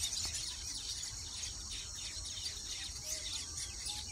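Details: Baya weavers near their nests give repeated bursts of high chirping and twittering, rising and falling in loose waves, over a persistent shrill insect drone and faint low rumble.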